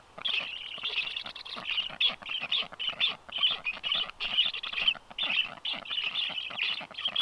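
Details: Black stork at its nest, filmed by a livestream nest camera on 9 July 2023 as unringed strange storks visit. Rapid, harsh, raspy bursts repeat about twice a second, steady and continuous, with faint low rumbling underneath.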